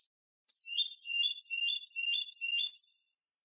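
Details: Canary delivering malagueño song meant to educate other canaries: a regular series of about six swooping whistled notes, each sliding downward with a lower echoing tone, roughly twice per second.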